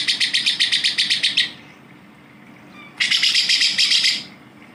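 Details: Grey-cheeked bulbul heard as a training recording for White-rumped shama, Oriental magpie-robin and Greater green leafbird: a rapid pulsing, grating chatter of about twelve notes, a quiet gap, then a dense rasping buzz lasting over a second.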